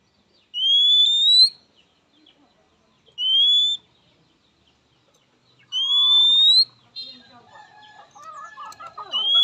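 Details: Oriental magpie-robin issuing its characteristic rival call, said to draw quick answers from males and females; three long, rising whistles, then a burst of mixed chattering and rustling noise toward the end.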